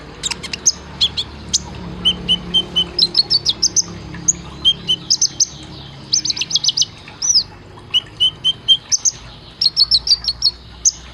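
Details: For caged-bird training, an olive-backed sunbird sings in 'isian tembakan' style: dense bursts of piercing high chirps and short trills, some lower piping runs and one rising-falling slurred note, nearly continuous over eleven seconds.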